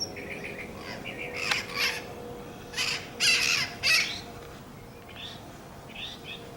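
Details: Loud, grating squawks from wild parrots in Whittier, California, coming in uneven groups with softer short chirps between them, set against a constant low background hum.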